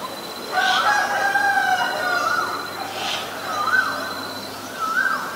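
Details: Asian koel, male and female. Clear upslurred whistled notes rise and repeat at intervals of roughly a second or more, each with a bright swelling onset, standing out over a faint steady background hum.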